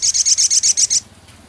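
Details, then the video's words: Energetic song of a male Javan cochoa, filled with scarlet minivet phrases, ketikan and rough crecet. Eight sharp, high, identical pips are repeated rapidly, about eight per second, then stop. "Masteran Burung Sogon Jantan gacor isian full Sepah raja ketikan crecet kasar"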